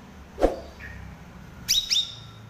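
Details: Caged cucak rawis, chattering master song for birds that stay silent: a dull knock, a short mid-pitched note, then two sharp high chirps close together.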